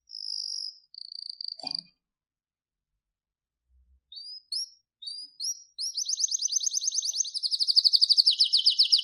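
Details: Canary song with a steady high trill, a short broken trill and a click, a pause, then rising upslurred chirps leading into a long, fast, rolling trill that drops slightly in pitch near the end.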